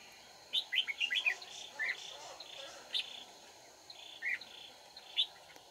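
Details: Vietnamese trapping session on 31 March 2019 with a red-whiskered bulbul: a cluster of short, bright chirps followed by scattered single whistled notes, somewhat softer, over steady background hum and faint insect-like buzzing.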